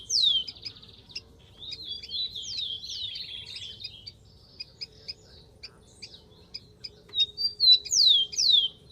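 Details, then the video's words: In the wild, a rufous-collared sparrow sings sharp downslurred whistles, a jumble of chirps and a short trill, then a pause before more loud whistled sweeps; a faint steady hum underneath. "BURUNG KICAU"SPARROW RUFOUS"(KICAU MANIA)Full Gacor di alam liar"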